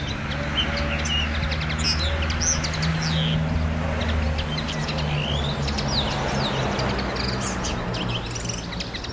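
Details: Common linnet twittering with quick chirps, buzzy notes and short downslurred whistles tumbling together. The bird keeps going for around nine seconds against a low constant hum.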